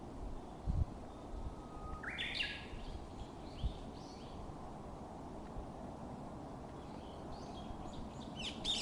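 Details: Japanese bush warbler singing on Mount Monju during a mountain hike on a clear, sunny day: a long, level low whistle swells into a quick rising flourish of higher notes, with other faint bird phrases after and quiet outdoor rumble.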